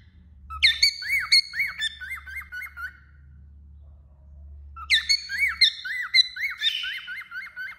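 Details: Cockatiel singing while perched on a finger: two phrases of warbled whistles, each opening with high chirps, then a run of quick rising-falling whistled notes, separated by a pause of about two seconds.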